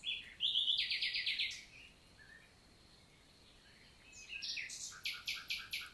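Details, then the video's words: Common nightingale singing on a summer morning, 11 June 2023, in countryside forest of the Célé valley, Lot, southern France; rapid repeated pulsed phrases, loud high rattling bursts, a quiet pause, then another fast series. "NIGHTINGALE MORNING SONG"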